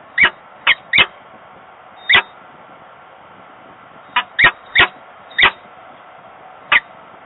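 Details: Two peregrine falcons at a Włocławek, Poland nest box on 15 November 2022, one on the grille and one staying inside; brief, harsh chip calls in loose clusters with pauses, steady hum underneath.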